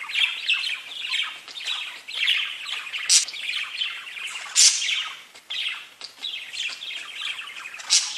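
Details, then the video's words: Several parakeets chirping and chattering to each other in a dense, continuous stream of squawky chirps and warbles, with sharper bright calls breaking through near three, four and a half, and eight seconds. "Parakeets Bird Chirping and talking to each other"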